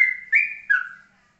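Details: Yellow-vented bulbul, ropelan song style called steady and calm: three clear whistled notes in close succession, the last sliding downward and trailing away into silence.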